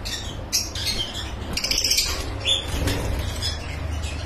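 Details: Lovebirds kept on a breeding farm, making sharp, high squeaky squawks and short chirps in irregular quick bursts, several birds overlapping, with a low rumbling background.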